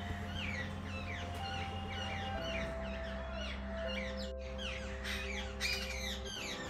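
Jungle babblers chatter in a busy group, with harsh, squeaky notes repeated and overlapping throughout, over a steady low musical drone.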